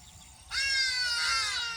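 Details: A grey crowned crane in the wild, foraging in nature alongside ibises, gives one loud, harsh, honking call that starts abruptly and holds for over a second, rich in overtones and falling slightly at the end.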